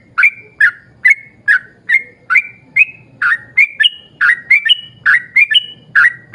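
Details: Yellow-vented bulbul in long 'ropel panjang' song used as a lure for other bulbuls: evenly paced whistled notes that speed up into paired and tripled rising-falling phrases, over a faint background hum.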